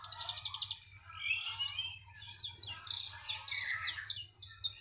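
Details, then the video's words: A canary, reportedly in song wherever it is set down, opens with a quick trill, then a series of sharp, upslurred whistled notes repeated several times a second, with a faint steady hum. "Kenari *SPECIAL*,, mau di taruh di mana saja tetap gacor"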